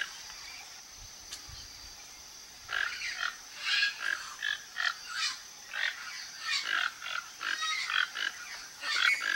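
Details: Flock of toco toucans searching a Brazilian backyard for fruit: after a quiet start, a dense run of rough croaking calls repeats roughly every half second from several birds, with steady high-pitched background hiss.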